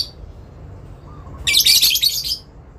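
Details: Breeding lovebird calling back and forth with another: after a quiet start, a single dense, grating shriek burst lasting nearly a second, with a faint low warble just before it.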